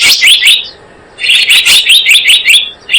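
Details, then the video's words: Blue-eared kingfisher lure call: bursts of sharp, high chirps repeated quickly, a short pause, then a longer run of bright, rapid notes. "Suara pikat burung selendang biru super ampuh"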